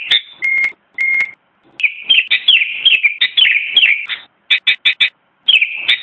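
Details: Sooty-headed bulbul (kutilang) starts with a few short, flat whistles, then a longer bubbling warbled phrase, followed by four quick clipped notes and another warble.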